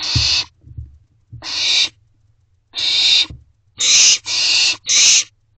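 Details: Young barn owls in an owl box begging their parents for food late at night, giving loud wheezing hisses, spaced at first, then three in quick succession near the end.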